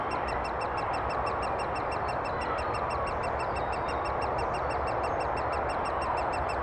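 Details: Great spotted woodpeckers feeding their chicks in Thurrock woods on 20 May 2014: a steady, unbroken chattering din of rapid high ticks repeated several times a second, kept up without pause.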